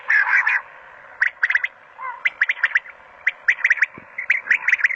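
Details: Female quail calling in quick clusters of short, sharp notes, three to six per burst, with brief pauses between bursts; a longer, rougher call opens the sequence.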